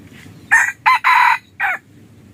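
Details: Red junglefowl crowing as a hunting decoy to lure wild junglefowl: one loud crow in four bursts, two short rough notes, a longer drawn-out middle note and a falling final note, over a quiet background.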